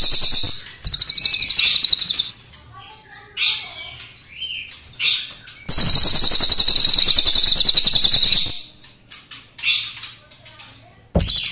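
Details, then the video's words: Crested jay, black against brown, in full song with long rolls: a mechanical rattle of quick pulses lasting over a second, scattered softer squeaky notes, then a longer, harsh, even roll of nearly three seconds. "Cililin gacor nembak ngeroll panjang,hitam vs coklat"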